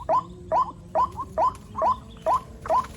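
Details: White-breasted waterhen chick calls during the rainy season: seven clear, sharply rising squeaky notes, each about a half-second apart.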